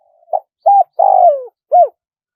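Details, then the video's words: Spotted dove giving one crow in the 'one kuk' pattern: a soft lead-in coo, a level note, a long buzzy downslurred coo, then a short arched final note. Deep, hollow tones with a clear background. "เสียงนกเขาใหญ่ ขันสด คารมป่า100 ขัน 1 กุกเพราะๆ"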